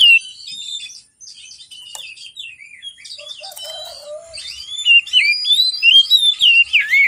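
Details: Morning song of an Oriental magpie-robin, a lure for birds reluctant to sing: jumbled chattering and twittering at first, then clearer whistled notes coming faster toward the end.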